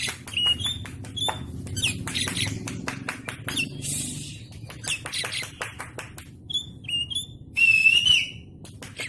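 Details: Oriental magpie-robin training song for caged birds in a rapid, dense style: short clear whistles and harsh squawky bursts among many sharp clicks, ending in a loud rising-falling whistle.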